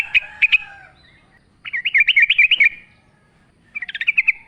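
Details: Yellow-vented bulbul singing vigorously in the wild: two loud chirps, a pause, then a bubbly warbling phrase of rapid rising and falling notes, and a short fluttering run of notes to finish.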